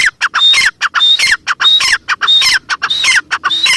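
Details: Continuous strident calling of a female grey francolin: dense harsh notes and longer phrases with a sharp whistled peak, repeating about every six-tenths of a second.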